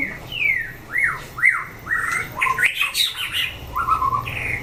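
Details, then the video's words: White-rumped shama in a chảo lửa fighting test for competing birds, singing a run of loud arched whistles, each sliding down. They repeat about every half second, then break into rapid varied notes and a lower warble. Steady low hum behind. "Chảo lửa test chim đấu (shama bird singing)"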